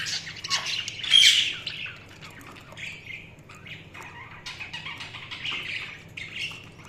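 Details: Budgerigars chirping: a loud, harsh squawk near the start, then a steady run of high, scratchy chattering notes and short buzzy warbles that rise and fall for the rest of the clip, with no other clear sounds.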